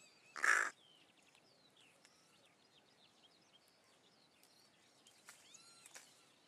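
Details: Single rasping caw from a Hooded Crow at a Russian forest edge, followed by a long stretch of soft, distant twittering and high whistled notes from small songbirds.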